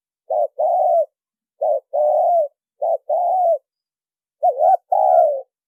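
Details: Spotted dove lure call, clean recording without background noise: four paired coos, each a short clipped note followed by a longer, slightly rising then falling hollow coo, repeated about every 1.3 seconds.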